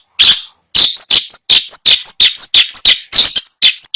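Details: In Bondowoso, a caged long-tailed shrike (cendet) for sale mixes rapid harsh chattering notes with short, thin, high whistled slurs in a fast, jumbled phrase.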